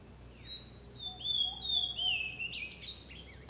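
A blue-black grosbeak sings a short phrase of sweet, clear whistles, sliding down and then rising sharply at the end, with faint background hiss.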